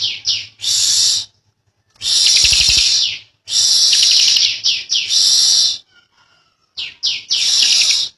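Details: Young bar-winged prinia, endemic to Indonesia, delivering long dense ngebren song: loud high buzzy bursts about one to two seconds long separated by short silences, with rapid clicking trills and downward-slurred notes.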